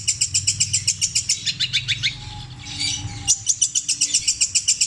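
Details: Cendet, a long-tailed shrike from Java, delivering long repeated mimicry of tengkek buto, kuntilanak and sparrow, petir style: rapid high ticking notes, a brief buzzy pause midway, then the fast chipping resumes.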